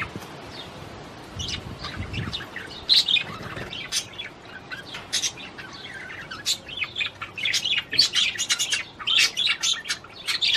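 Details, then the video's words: Courtship warble from a budgerigar stimulating a female to mate. It starts sparse with a few chirps, then grows into dense rapid chattering of clicks and squeaks near the end. "تغريد طير البادجي لتحفيز الأنثى على التزاوج"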